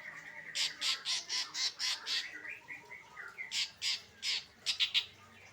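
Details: Long-tailed shrike song in the late afternoon: harsh, scratchy high notes repeated about four times per second over a soft, low background hiss.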